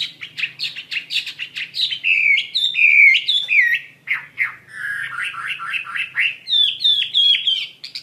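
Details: Chinese hwamei singing lively and loud: rapid series of sharp downslurred whistled notes, several per second, shifting into rolling slurred phrases and back to quick repeated strokes, with a faint low hum behind.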